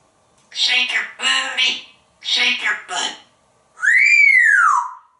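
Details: Talkative pet African grey parrot, male, hatched in 1997, living in a home in Texas, heard in the kitchen: two bursts of short speech-like syllables, then a long clear whistle that rises and falls, in a quiet room.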